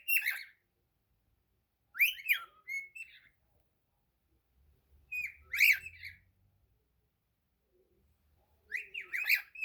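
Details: Cockatiel song from a pet bird, brief bursts of harsh, harmonic-rich whistled phrases every few seconds, separated by silence, faint low hum between.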